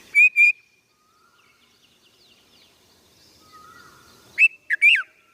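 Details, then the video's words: Red-vented bulbul calling with loud, brief, slurred chirps: a quick pair at the start, then a burst of three after a long quiet pause with faint distant bird notes. "Red Vented Bul Bul"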